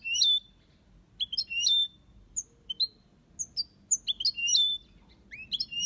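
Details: European goldfinch kept in an aviary, singing copia Malaga: lively high chirps and slurred whistled notes in quick irregular phrases, with a short buzzy stretch near the end.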